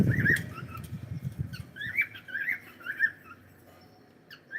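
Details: Cockatiel giving a run of short, squawky chirps with bright overtones, clustered in quick bursts across about three seconds, with a loud low rumble underneath at the start.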